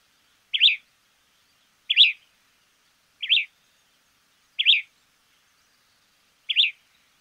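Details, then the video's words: Argentine White-crested Elaenia repeating a short, sharp, high chirped note five times, about every one to two seconds, with slightly uneven spacing, in an otherwise quiet setting. "Fiofio silbón"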